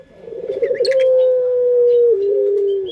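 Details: Melodious pelung coo from a local Indonesian Barbary dove, used as a lure. A bubbling, pulsed opening leads into one long, steady low note that steps down slightly for a second held tone. A few faint high chirps sound nearby.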